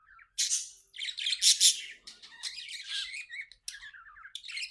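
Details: Happy pet budgerigars chirping indoors: a busy, continuous chatter of high buzzy bursts and warbled squeaks, with brief gaps and short fluttering notes throughout.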